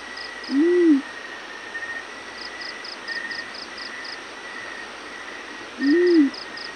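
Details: Morning call of a yellow-breasted fruit dove: two soft, low arched hoots about five seconds apart. Trains of quick high-pitched pulses and a constant thin hum run underneath.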